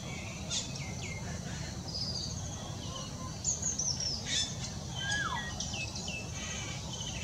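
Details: Grey parrot, recorded 23 December 2020, giving a loose mix of high chirps, thin whistles and a falling whistle, with sharp clicks over a steady low background rumble.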